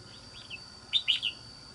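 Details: A red-whiskered bulbul kept as a decoy bird, with a tall thick crest and a good wild voice, gives a few short bright chirps, two louder notes close together near the end over a steady background hum.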